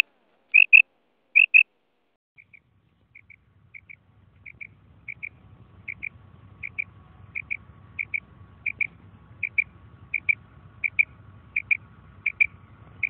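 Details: A female common quail gives its "krik" call: sharp, high, doubled notes, a paired 'pip-pip' repeated about once a second, over a steady low rumble.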